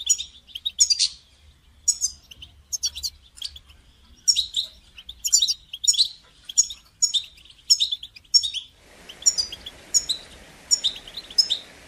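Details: Calls of a European goldfinch, used to encourage a caged goldfinch to sing: clear liquid twitters in evenly spaced bursts roughly once a second, with a hiss of background noise appearing in the final few seconds.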